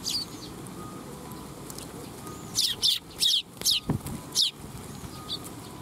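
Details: Eurasian tree sparrows coming to be fed at a Tenmangu shrine on 12 July 2021; a burst of sharp, high chirps from several birds, clustered in the second half, with a faint steady hum behind.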